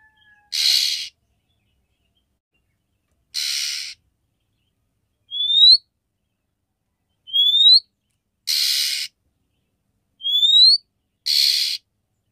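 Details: A female oriental magpie-robin calls to a male to arouse his mating condition, giving harsh hissing rasps of about half a second alternating with short, thin, upslurred whistles, roughly one sound every second or two.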